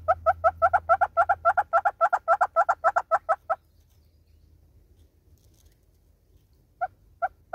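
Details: Southern red-billed hornbill singing in South Africa giving a fast run of about twenty hollow, clucking notes, roughly four per second, then a pause and a few more clucks.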